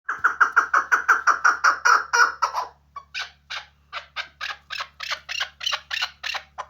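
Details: Hunting partridge, a chukar, gives a fast run of loud, harmonic clucking notes about three per second, then switches to sharper, higher, broken chucks that keep repeating at a similar pace; a faint low hum underlies it.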